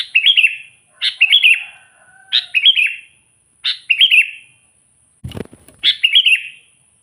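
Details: Sooty-headed bulbul calling to provoke wild rivals: a steady series of six short, bubbly warbled phrases roughly every second, with one low knock near the end.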